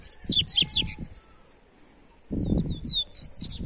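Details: Double-collared seedeater (papa-capim coleiro) song used to warm up a bird: rapid, sweet, warbled high phrases of quick rising and falling notes, a burst at the start and another after a pause, with low rustling noise.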